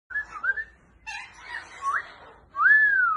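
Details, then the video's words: African grey parrot whistling: a short wavering whistle, then a burst of rougher mixed notes ending in an upslurred whistle, and finally a long clear whistle that rises and then slowly falls; no other sounds. "African gray Parrot Sound"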